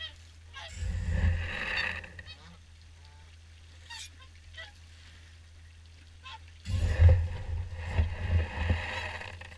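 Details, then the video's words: At the Caerlaverock evening swan feed, many swans trumpet in two loud clusters of honks separated by a quieter stretch with isolated calls, all over a heavy low wind roar. "Evening Swan Feed"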